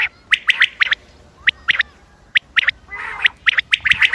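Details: Calling common quail, recorded 28 May 2025 for use in hunting. Crisp, short notes arrive in tight pairs and triplets, separated by short gaps. A rougher, noisier burst is heard toward the end.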